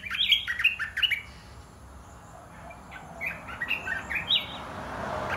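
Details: Caged red-whiskered bulbuls of 'dok taeng' and 'ta daeng' types: a fast burst of chirpy, warbled whistles, a pause, then another run of cheerful notes, with rising hiss toward the end.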